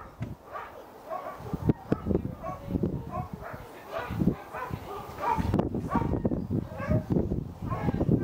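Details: At Eagle Heights in Kent, August 2019, a captive White-backed vulture utters scattered short, whining squeals with a nasal tone, interspersed among dense low knocks, thuds and shuffling sounds that grow louder toward the end.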